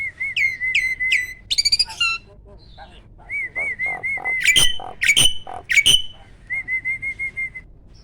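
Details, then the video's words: Caged jalak starling, a contest-winning bird noted for loud rapid-fire phrases, giving repeated wavering whistles, sharp upward-sweeping notes and loud harsh bursts, with pauses between phrases. "SPEED TEMBAKAN LANTANG"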